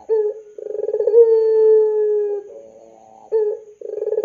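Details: Lure call of a lively puter pelung dove meant to prompt young doves to sing: rapid throbbing coos build into a sustained, slightly falling howl-like note, followed by a quiet pause and fresh bursts of pulsed cooing.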